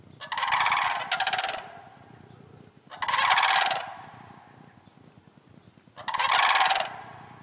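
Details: Rapid doubled rattle, then two more pulsed calls at about three-second intervals, from sandhill cranes in a neighboring hayfield north of the Twin Cities.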